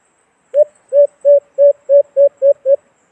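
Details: Calling white-eared brown dove, a recording used as a sound trap for hunting: eight low, hooting coos delivered in an even, rapid series lasting about two and a half seconds, clean silent background.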